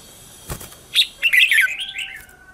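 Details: Red-whiskered bulbul morning song used as a lure for wild birds: a thud, then a sharp note and a tumbling, descending series of warbled chirps fading out.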